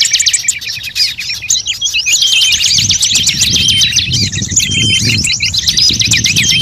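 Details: Many-species bird lure sound. Shrill, hurried twittering and trills fill the whole stretch, and a low rumbling murmur joins partway through.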